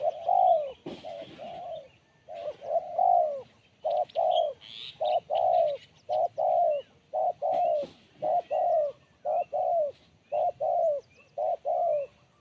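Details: Long run of sharp, crisp spotted dove cooing in kuk 1 style: firm, evenly spaced coos about once per second, with faint high chirps of other birds in the background.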